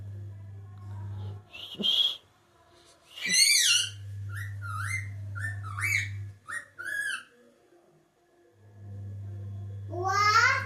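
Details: Parrot giving a run of sharp, clear whistled notes that rise and fall and repeat in quick succession, ending in a rising harmonic squawk, over a steady low electrical hum indoors.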